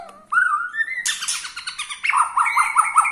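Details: Borneo-type white-rumped shama singing to rile rival shamas: a clear, rising whistle, then a burst of fast, scratchy notes and a quick series of bright, repeated, chirped whistles.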